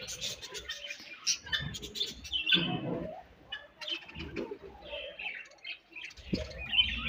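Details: Several budgies chirp as they eat, giving high warbling chirps and squawky notes. Muffled low thuds and rustling sounds mix in at times.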